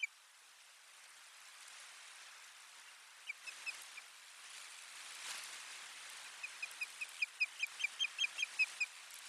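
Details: Osprey at the nest on 1 May 2020 while adding soft material: a few quiet whistled notes early, background rustle and hiss, then a building series of about twelve sharp chirping whistles near the end.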